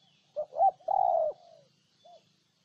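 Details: Close, clear cooing of a spotted dove from Ninh Thuận, Vietnam: two quick hollow notes, a long loud sustained coo trailing downward, then a soft final note, in a quiet setting.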